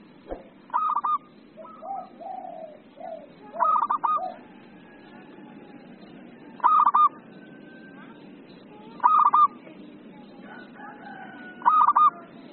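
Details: Zebra dove in excited 'emosi' song, used for tutoring and luring: soft cooing notes at first, then loud rolling, stuttering coo bursts recurring about every two and a half seconds over a low hum.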